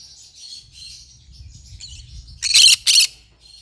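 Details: Pet green-cheeked conure murmuring in soft high twittering notes over a low background rumble, then letting out two loud, grating squawks close together.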